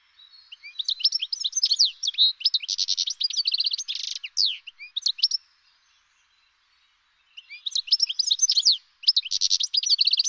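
European goldfinch singing a fast, tinkling jumble of twitters and liquid trills, two bursts separated by a short pause; no other sounds.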